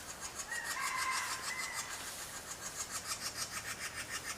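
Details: Hungry woodpecker chicks begging while their mother feeds them: a steady raspy, sawing pulse repeated about three times a second, broad and hissy, with a few faint whistled tones early on.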